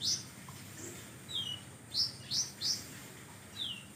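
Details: Magpie-robin song with 'kapas tembak' fill-in phrases: bright high whistles, a couple falling, then three rapid upswept notes close together and a final descending note, against low constant hiss.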